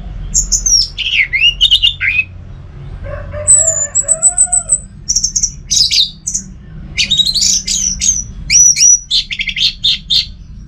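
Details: Orange-headed thrush kept at home in Singaraja, North Bali, singing a varied, rapid run of high whistled phrases and sharp chirps, with a lower warbled passage midway and quick clipped notes near the end.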